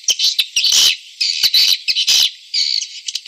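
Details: Swiftlet lure call made to attract swiftlets. Harsh, buzzy chirps and short rasping bursts follow one another closely, broken by a few sharp ticks, all in a high register.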